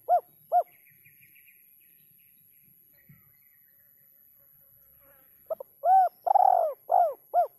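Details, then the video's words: Spotted dove in the kuk 3 style, two short hollow notes, a quiet gap with faint chirps, then a full phrase of clipped notes, a long falling coo and closing short coos in a clean recording. "suara burung terkukur kuk 3"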